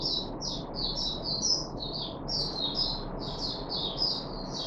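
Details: A caged Puff-backed bulbul three days into deworming, recorded 14 July 2021, gives clustered high, down-slurred chirps in short bursts with brief gaps, over a constant low rumble.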